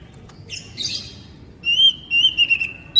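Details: Oriental magpie-robin (kacer, poci type), recorded as a tutor song for captive, untrained birds. Harsh raspy notes lead into long, clear, level whistles that break into short linked phrases near the end.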